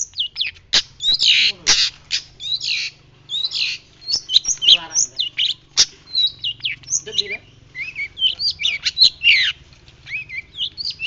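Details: White-breasted shrike, the 'pentet laut' of Indonesian bird keepers, used as a tutor recording. It sings vigorously with a dense, varied run of sharp chirps, slurred whistles and buzzy rattles, with few pauses and a faint low hum beneath.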